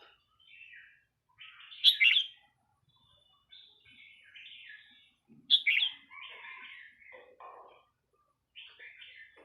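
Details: A red-whiskered bulbul sings cheerful chattering phrases, with two loud bursts about four seconds apart and softer warbled notes between them, in quiet surroundings.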